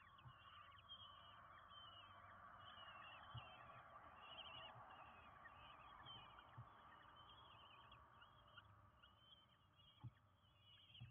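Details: Five common kestrel chicks being fed at a nest in Windsbach, Germany, on 27 June 2022; shrill wavering high calls repeat constantly over a broad steady hiss, with occasional low knocks.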